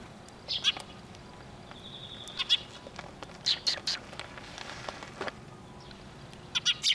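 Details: Several sparrows approach for food at a Tenmangu shrine, 9 October 2023, giving short bright chirps in irregular pairs and clusters across the seconds, with a brief level whistled note early on.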